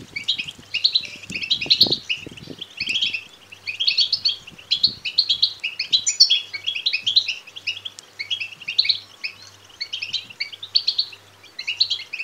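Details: European goldfinch chicks begging, natural and lively calls used to stimulate males to sing and mate: dense, rapid high twittering in overlapping bursts throughout, with a faint low hum and a few soft low knocks early on.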